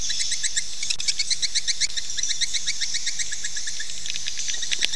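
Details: Swiftlet calling sound used to attract swiftlets to nest: rapid high, sharp chittering pulses, about four per second in a steady train, over constant hiss and low rumble.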